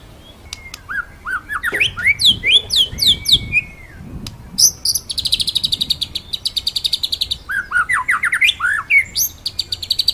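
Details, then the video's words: Rolling 'ngeroll nembak' master song of a white-rumped shama, used to train other birds: swooping whistled notes, then a fast rattling trill of sharp repeated notes, then more slurred whistles and a rapid buzzy run. "BURUNG MURAI MASTERAN NGEROLL NEMBAK"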